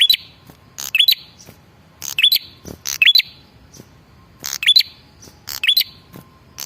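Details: Male red-headed prinia producing its lure call to make rival birds reply. It gives paired, irregularly spaced phrases of crackling buzz and shrill upslurred whistle.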